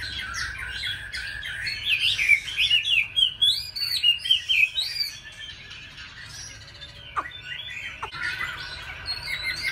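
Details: Oriental magpie-robin singing a duel against bulbuls, laughingthrushes and doves at a home in Hanoi, Vietnam. It gives bright, varied whistled phrases of quick rising and falling notes, then a pause filled by softer chirps and a few sharp downward clicks.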